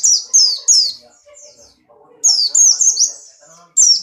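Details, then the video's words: White-eye of the Buxtoni type kept in a cage, in strong breeding condition and jumping actively. Loud high chattering phrases of rapid downslurred whistles come in three bursts, with softer low twitters between them. "burung pleci Buxtoni birahi kencang loncat indah nembak"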